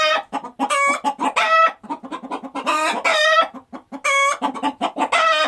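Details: Chickens on a farm squawking around egg laying: loud, harsh drawn-out cackles alternate with short sharp clucks in rapid bursts, several birds calling over one another.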